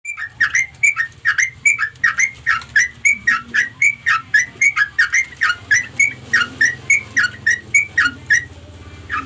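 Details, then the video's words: Sooty-headed bulbul calling its companions: a fast run of short, bright chirping notes, each dipping and rising, repeated steadily for about nine seconds. A faint low hum sits underneath. "suara trucuk panggil kawan"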